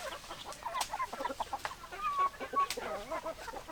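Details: Hens and roosters clucking in a flock: dense, chattering clucks with a couple of thin whistled notes in the middle and occasional sharp taps.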